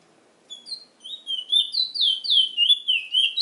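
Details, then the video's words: Chestnut-bellied seed finch, called Trinidad bullfinch, singing: after a short pause, a quickening string of clear, slurred whistled notes, each dipping downward, about four per second, rising in loudness toward the end. "Trinidad bullfinch MUSIC"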